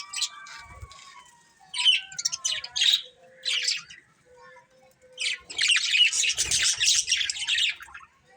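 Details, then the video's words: Pet budgies, colourful: soft thin whistles, then spaced scratchy chirp bursts, building into a loud run of fast, raspy chattering in the second half. "Colourful Budgies Chirping Sounds"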